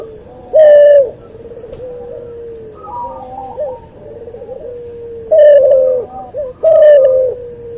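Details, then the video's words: Crossbred Barbary dove, albino white crossed with pelung type, recorded as a tutor call for other birds: one strong flat coo, then a run of softer rippling and wavering notes, then two more loud coos close together near the end. "MASTERAN BURUNG CUHU HASIL SILANGAN PUTER ALBINO PUTIH VS PUTER PELUNG"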